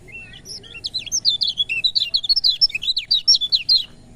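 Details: Lemon-bellied white-eye song, played to rouse reluctant birds into singing: a rapid, continuous chatter of short, high, sweeping notes, rising and falling in quick succession for about three and a half seconds, with no other sounds.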